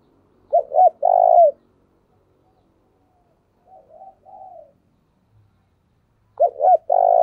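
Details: Lure spotted dove cooing to draw in wild birds: two loud phrases of short notes plus a long coo, about six seconds apart, with a fainter, distant coo phrase between them.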